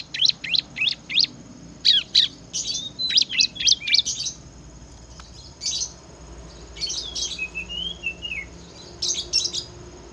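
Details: Bar-winged prinia in energetic ngebren song, pouring out fast clusters of piercing high chirps with short pauses and one rolling, wavering whistled phrase.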